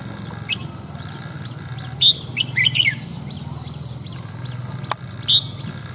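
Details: Red-whiskered bulbul singing in the morning, a few bright warbled phrases and sharp high notes, with steady background hum and a click.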